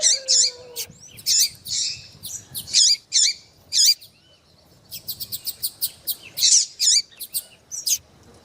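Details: Female double-collared seedeater calling persistently to arouse a male: loud squeaky chirps in pairs and triplets, a short low whistle at the start, then a rapid series of light ticking notes and more squeaks.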